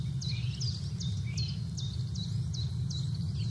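A small bird gives thin, high chirping notes about twice a second over a steady low roar of wind in the branches.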